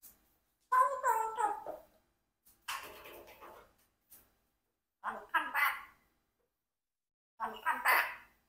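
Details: Four-year-old Congo African grey parrot picking up letters and phrases like "mummy come back, what are you doing": four short bursts of speech-like phrases, with harmonic, voice-like tones and quiet pauses between them, indoors.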